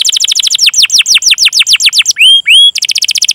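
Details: Training-lure canary song with a long cuit-cuit rolling style: rapid repeated downward-sliding chirps, then two drawn-out rising whistles, then a quick buzzy trill to close.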